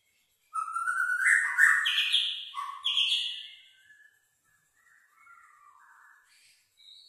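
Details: A long-tailed, black-tailed white-rumped shama sings a rich run of varied whistled and chattering phrases for about three seconds, then softer, lower whistles and a thin high note.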